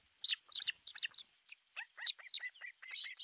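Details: Nest-camera recording of osprey at an artificial nest, Pohjois Satakunta, Finland, 6 July 2023 at 12:31: irregular bursts of shrill, slurred whistled yelps, some paired, with brief gaps between groups.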